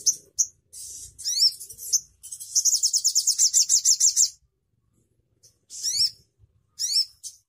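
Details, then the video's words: Crimson sunbird singing very high, thin notes: sharp sweeping chips, then a fast, even trill of about a dozen notes, followed by more scattered chips. "Suara Burung Sogon Ontong Bikin Yang Lain Ikut Gacor"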